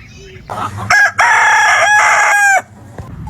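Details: Loud rooster crow broken into short stuttering bursts followed by a held, ringing note, over a steady low mechanical hum in the background.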